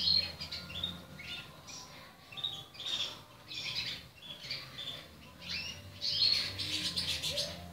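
Young Portuguese Harlequin canaries give high, thin chirps in overlapping bursts, rising and falling every second or so, with a faint low hum beneath.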